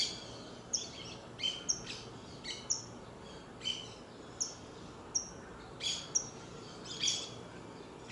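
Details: Saffron finch song made of crisp, high chirped notes, each a quick downward flick, repeated roughly every half second to a second in a loose, lively series against faint natural background hiss.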